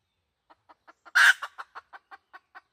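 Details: Red junglefowl hen call used as a decoy to lure wild junglefowl, recorded 2020: soft evenly spaced clucks, one loud harsh squawk near the start, then more clucks about every fifth of a second.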